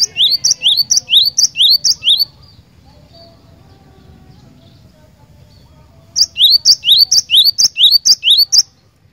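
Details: Cinereous tit singing energetically, described as a persistent singer: two long strophes of repeated high, rising paired notes, roughly two per second, separated by a quiet gap of about four seconds.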